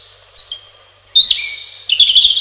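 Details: Singing robin: quiet, thin high notes, then a sudden loud phrase. It starts with a sweet rising whistle and a lower sliding note, then ends in a fast, sparkling twitter.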